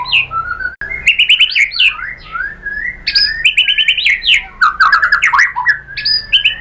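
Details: White-rumped shama singing as a lure to provoke other birds: a busy stream of whistles, chattering trills and sharp high notes, phrases changing every second or so.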